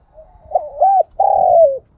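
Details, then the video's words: Spotted dove used as a decoy to train new birds: a soft lead-in, two arched hoots, then a long rolling coo that slides downward. There are faint low knocks underneath. "Chim Cu Mồi gáy gọi, luyện bổi gáy theo mỗi ngày/ Tiếng chim cu gáy kích bổi nhanh nổi"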